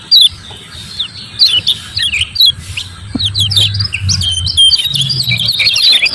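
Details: Lemon-bellied white-eye, the 'ciak ciak' provoking sound used to get reluctant birds singing: scattered sharp high chirps building into a faster twittering run, over a low background hum.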